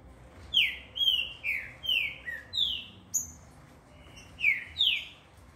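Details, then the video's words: Captive-bred first-generation green-winged saltator in song training at a breeder, delivering a series of clear, downward-slurred whistled notes, about nine in five seconds, with short pauses between them against a quiet background. "Trinca Ferro"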